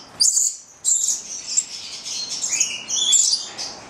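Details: Nine-month-old Italian pair of captive Stella's lorikeets (Charmosyna goliathina) giving piercing high screeches and thin chattering chirps in quick overlapping runs, recorded on Valentine's Day.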